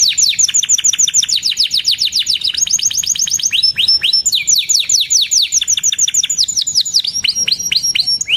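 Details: Lively singing canary with a continuous stream of quick, sharply falling chirps, rolling runs shifting speed and pitch, plus high thin tinkling notes above, sustained without pause.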